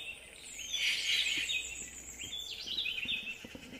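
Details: Yucatan jay calling: broad, harsh, slightly rasping calls, one long burst near the start and a second series about halfway through, over steady background hiss.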